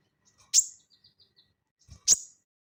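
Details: Crested jay in vigorous ngeleper singing, used as training audio for cage birds: two loud, sharp, high whip-like notes about one and a half seconds apart, with faint soft chips between them.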